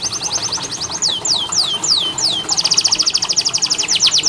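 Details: Canary song used as therapy to get reluctant canaries singing: rapid high chips, a handful of slow falling whistles, then a fast even rolling trill repeated many times a second, with light background hiss.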